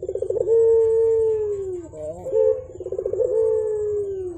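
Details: Morning coos from a Javan turtle dove singing freely: a quick pulsing roll flows into a drawn-out, slightly falling low tone, a brief wavering break, then the rolling coo begins again.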